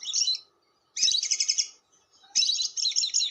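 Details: Lovebird giving a long chattering song (ngekek panjang) used as a lure for other lovebirds: high, buzzy, rapidly trilled bursts about a second long, separated by short pauses, with faint low knocks beneath.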